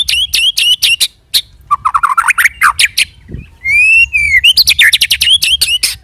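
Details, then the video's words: White-rumped shama song used as a lure for other shamas, rolling style; quick repeated sharp notes, a rising stuttered series, one long slurred whistle, then fast chatter again. "pancing murai dengan roll tembak ini murai batu manapun akan respon bunyi ngerol"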